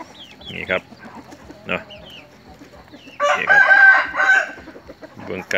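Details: A fighting rooster kept in a rubber plantation, recorded in the morning, lets out one long, hoarse, drawn-out crow midway, with shorter clucks and calls before it and another crow starting at the end. A man talks quietly.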